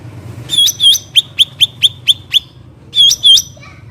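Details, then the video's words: Loud wild cucak ranting bulbul: two slurred whistled notes, then a steady run of seven short ringing chips about every quarter second, and two more slurred notes to finish. "cucak ranting suara alam"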